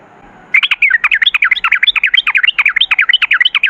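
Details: Yellow-vented bulbul pouring out a continuous, fast rolling 'ropel' song used to lure other bulbuls: dense bubbling notes, about three a second, jumping up and down in pitch.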